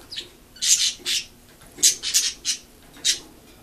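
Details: Sharp, harsh chirps from a female pet cockatiel fond of attention, given in uneven bursts of two or three notes with short pauses, high-pitched and scratchy.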